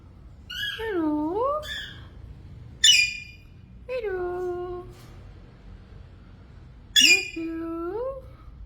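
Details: A female yellow Indian ringneck parakeet, a pet eating millet, talks ("hello", "I love you") in high, nasal, squeaky phrases with swooping pitch and short word-like bursts every few seconds, in a quiet indoor setting.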